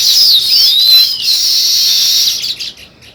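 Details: Sparrow calling with thin high whistled chirps, some sliding downward, blending into a steady bright chatter that fades out at the end.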